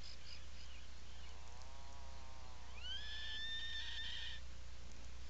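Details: Atlantic puffin in its nesting burrow on Seal Island National Wildlife Refuge, Maine, 17 July 2018, afternoon: faint low wavering arcs, then one long clear whistled call that rises sharply and holds steady, over a constant low hum.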